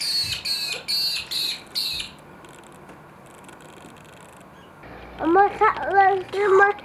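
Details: Magpie-larks (peewees), parents encouraging a young bird learning to fly in the evening, give five harsh, rasping high calls in quick succession, then louder piping, rising-and-falling notes, with people talking nearby.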